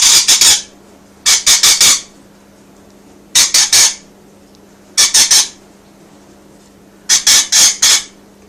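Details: Indoor pet rainbow lorikeet, content while filmed, repeating loud rasping screeches in five clusters of three or four rapid notes, spaced irregularly one to two seconds apart, with a faint constant background hum.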